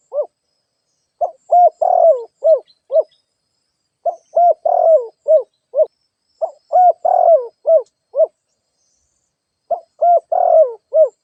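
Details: Spotted dove kept as a lure bird, giving its cooing song. Mellow, low hooted coos come in bursts of five or six notes, each phrase repeated about every three seconds, in an otherwise quiet setting.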